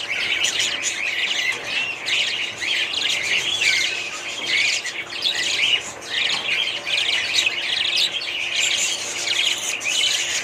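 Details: A family group of budgerigars keeps up a steady chorus of busy chirps, warbles and occasional harsh squawks, several birds overlapping with no pause over about ten seconds.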